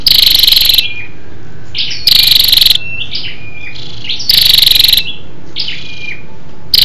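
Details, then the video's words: Lure call of a female scarlet-backed flowerpecker, used to stimulate males: four intense, chattering, rapidly pulsed bursts about two seconds apart, with faint high upslurred notes filling the gaps. "SÂU ĐẦU ĐỎ MÁI RO KÍCH TRỐNG- Giọng MỒI HAY"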